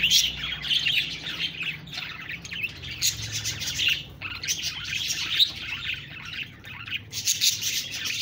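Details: Chattering budgerigars, a high busy warble that swells and briefly dips several times, with scattered sharper squawk-like chirps among the twittering.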